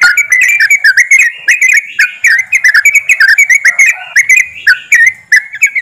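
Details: Yellow-vented bulbuls in a lively group, played to draw birds into song. Rapid, bubbly whistles come from several birds, with short slurred notes in choppy runs and brief gaps.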